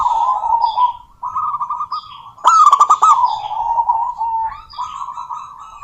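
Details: Local female zebra dove calling a rival: long runs of soft, rapidly pulsed, rolling coos at a steady mid pitch. A sudden loud, harsh burst of bright stuttered notes interrupts the middle, and the pulsing coos resume afterward.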